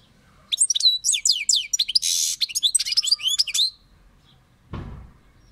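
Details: European goldfinch song, about three seconds of rapid liquid twittering mixed with trills and a harsh buzzy stretch, followed by a brief dull knock after a pause.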